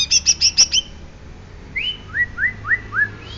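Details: Greater green leafbird, genuine Banyuwangi type: a quick string of high ringing chips, a pause, then four evenly spaced rising whistled notes.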